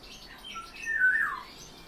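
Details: One rolling, downward-sliding call from a captive European bee-eater, brief and clear over a quiet background.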